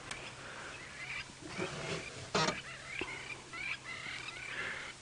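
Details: Crowned lapwings (Vanellus coronatus) flying overhead in the Sabi Sand area near Kruger Park, South Africa, during a sunrise drive on 3 July 2017, giving loud, harsh, repeated shrieking flight calls after warming up, over a low vehicle engine hum.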